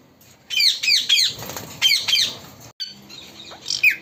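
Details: A talking parrot gives loud, scratchy, falling screeches in quick succession, then pauses briefly before a final rising squawk. Faint background rustling is heard.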